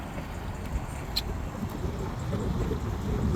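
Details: Only low wind rumble and engine-like noise, with a brief click, and no animal voice.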